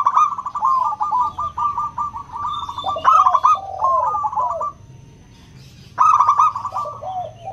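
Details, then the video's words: Zebra doves of a local strain, 'crystal' song used as a lure for hesitant singers: long chain of rapid overlapping coos for nearly five seconds, a brief quiet gap, then a fresh loud rolling phrase. "Pancingan PERKUTUT LOKAL suara KRISTAL, untuk memancing perkutut susah bunyi"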